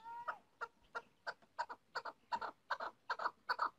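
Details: Female chukar partridge giving quieter clucks that start spaced and then come quicker and doubled, opening with a brief clear tonal note, over a faint hiss.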